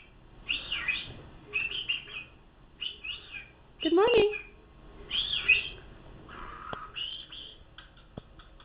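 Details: Toby, a cockatiel, chatters in bright, scratchy chirps and whistles, mixing in mimicked speech like "good morning" and whistling Jingle Bells.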